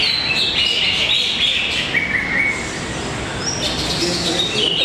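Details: Greater green leafbirds singing at a bird-singing contest arena in Tapos, Depok: bright whistled phrases and quick sliding notes high in pitch, several birds overlapping, over a steady crowd murmur.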